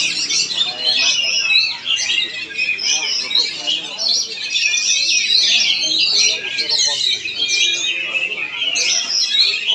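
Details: Oriental magpie-robin, or kacer, singing in Palangkaraya, Central Kalimantan: ten seconds of unbroken high chattering song made of quick twittering trills and sweeping whistles, layered with other singing birds.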